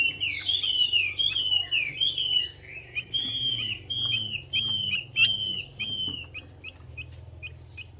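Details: Chinese hwamei, a melodious laughingthrush, in lure song: rich warbling at first, then a series of clear slurred whistles about twice a second, fading to short soft notes, with low muffled tones underneath.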